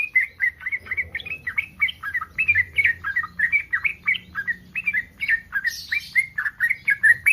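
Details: Breeding yellow-vented bulbul giving continuous bubbly, warbling chatter, short notes rising and falling in rapid succession for seven seconds, a brief higher hiss midway; the sound is meant to trigger replies from other bulbuls.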